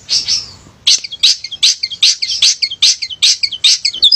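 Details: Male long-tailed shrike singing vigorously to spur quiet shrikes: repeated harsh chattering bursts with quick downslurred whistles between them, roughly two or three per second.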